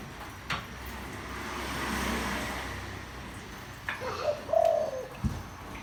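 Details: Spotted dove with a deep voice, meant to excite wild doves into approaching. A rumble of passing traffic comes first, then a single hollow coo phrase: a quick introductory note and a longer falling coo.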